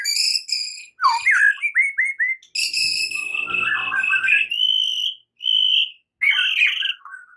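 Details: White-rumped shama in morning fighting song: rich harmonic whistles, a quick stepped series of falling notes, then long steady whistled tones broken by short gaps.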